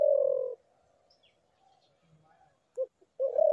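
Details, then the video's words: Spotted dove cooing: a steady low coo, a pause, a brief clipped note, then another low drawn-out coo rising in at the end. "ঘুঘু পাখির ডাক"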